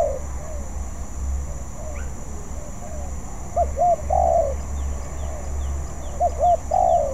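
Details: Spotted dove still practising its song: soft, faint coos at first, then two clear phrases of two quick rounded notes and a longer sustained coo, spaced about two and a half seconds apart, over a constant faint hum.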